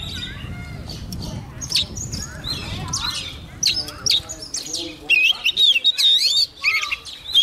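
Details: Young Oriental magpie-robin in full song as a wild bird approaches. Noisy, muddled sounds at first give way to a rapid run of warbled, rising and falling whistles, loud and varied, in the last seconds.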